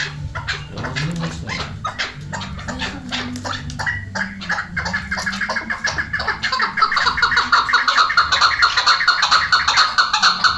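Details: Chukar partridge, hunting context; rapid repeated chuck notes with a hoarse, grating tone, rising in volume into a steady rhythmic chatter about twice a second, low humming noise beneath.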